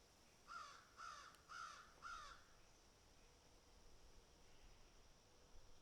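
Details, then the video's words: Crows picking and eating, giving four harsh caws about half a second apart, then quiet background hiss. "Crows Picking and Eating"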